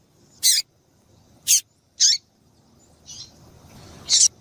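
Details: High, sharp chirps from a female variable seedeater, used to excite a male, about five brief notes spaced irregularly, a few ending in downward slurs.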